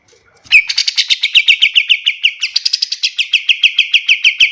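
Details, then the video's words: Pied triller singing for use as a training recording: a dense, fast trill of sharp repeated notes with a brief stutter partway through, then the rapid series continues evenly to the end. "Suara kapas tembak paling bagus untuk masteran burung lain"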